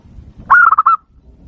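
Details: Zebra dove lure call aimed at wild doves: a single quick phrase of about six mellow, slightly stuttering coos on a steady pitch.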